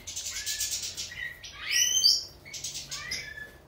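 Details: European goldfinch (major) giving hissy, high twittering at first, then a loud sharp sliding whistle in the middle, followed by more light chirping trills.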